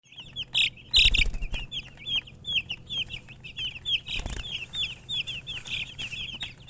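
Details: Baby chicks chirping nonstop: dense high peeps, each a short rising-falling note, overlapping in a rapid continuous chorus, with a few knocks and brief bursts of handling noise.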